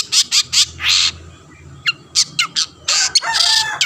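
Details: Long-tailed shrike singing to provoke other shrikes into singing, mixing short harsh chattering notes, brief sharp downslurred whistles and longer raspy screeching bursts.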